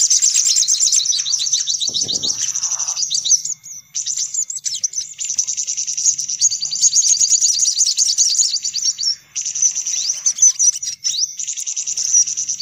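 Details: Sunbird lure recording meant to draw sunbirds in: dense, high, rapid twittering trills run almost without break, with a brief lower buzzy note near the two-second mark.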